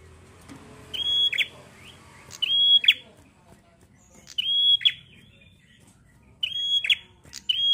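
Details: Bar-winged prinia singing in a lively, energetic style, played to prompt other prinias to sing: four bursts of sharp, high, clipped notes, each with a steady ringing tone and quick chips, spaced about one and a half seconds apart over a quiet background.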